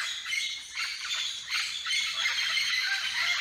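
A red-lored amazon gives harsh, raspy squawks almost continuously, rising and falling in loud bursts with little pause between them.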